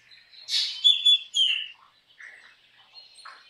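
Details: Singing black drongo: a loud rasping note followed by two bright clear whistles and a slurred descending phrase, then quieter scattered chirps and chatter.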